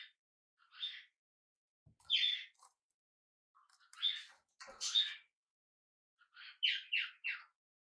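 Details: Hand-reared budgie chick at home for the first day mixes raspy chirps and soft warbling chatter, ending in a quick run of four scratchy notes, with a light tapping sound.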